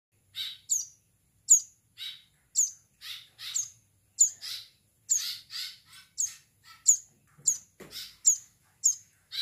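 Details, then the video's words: Bar-winged prinia chick, a nestling, giving sharp high-pitched chirps with a short downward-sliding whistle, repeated irregularly about every half second to second, with no other clear sounds. "Anakan burung ciblek sawah"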